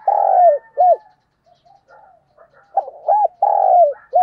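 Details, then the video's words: Spotted dove used as a decoy bird, calling in the morning: low hollow cooing phrases, each a drawn-out note falling at the end with short clipped coos between, a quiet gap midway, faint soft sounds in the background. "Tiếng Chim Cu Mồi Gáy Gọi Vào Buổi Sáng"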